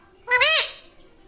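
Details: Pet parrot said to speak words like mummy and papa: one short, loud, harmonic call that rises and falls in a smooth arch, lasting about a third of a second, in a quiet room.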